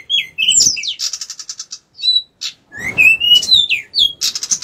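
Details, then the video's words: Actively singing pied bushchat (decu) gives a lively, varied song. Scratchy notes lead into a fast buzzy rattle, then a rising and falling whistled slur, followed by bright chirps and another short trill. "decu gacor"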